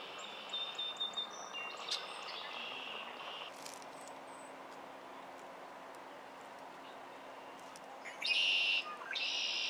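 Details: Red-winged blackbird in the wild in Quebec, Canada, summer 2023. Scattered thin notes are followed near the end by two loud, rasping buzzy trills in quick succession, with constant background hiss.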